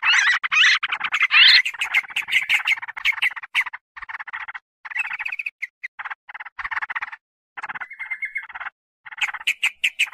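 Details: Sooty-headed bulbul call used as a lure to draw in and agitate wild birds: a long, uneven run of scratchy chatter and sharp clicks, broken by pauses, with one short level whistle.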